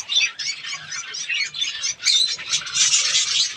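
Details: A budgerigar breeding colony chatters continuously, with many birds giving high squeaky chirps and warbles that swell and dip in loudness, dropping briefly quieter near the middle.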